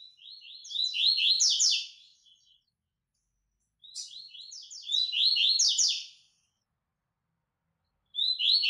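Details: Coleiro baiano, the white-throated seedeater, sings a training song: two full phrases of quick, buzzy, downslurred chirps, each roughly two seconds long and separated by silence, with a third phrase starting at the end.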